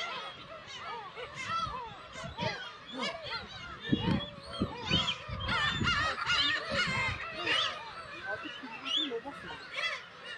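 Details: Black-tailed gull breeding colony on Kabushima, Hachinohe, Aomori, in June when chicks can be seen; a busy chorus of short yelping and mewing calls from many birds, with bursts of low thumping noise.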